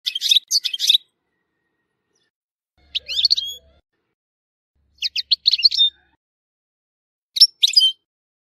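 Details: European goldfinch singing, recorded in Tissemsilt, Algeria: four short bursts of bright, high twittering notes near the start, at three, five and seven seconds, with silent gaps between phrases.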